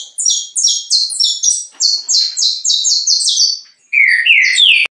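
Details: Saffron finch, a distinctive colour mutation kept as a songbird, pouring out a run of sharp high notes in quick stepped pairs, a brief pause, then lower slurred chirps rising again.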